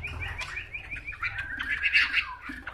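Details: Chinese hwamei song: a fast, busy run of varied chirps and short whistles, growing louder and brighter toward the end, with low background hum.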